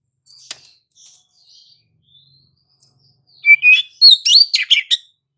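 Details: Kacer, the Oriental magpie-robin, in gacor ngerol rolling song used as a lure for other magpie-robins: faint scattered notes, then a loud burst of quick chirps and twisting whistles packed into about one and a half seconds.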